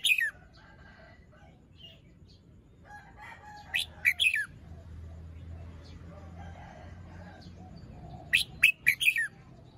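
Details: Morning song phrasing from a red-whiskered bulbul, feathers fluffed, moult incomplete, crest still short: short clusters of sharp, bright whistled notes at the start, middle and end, with quiet chirps and low background rumble between.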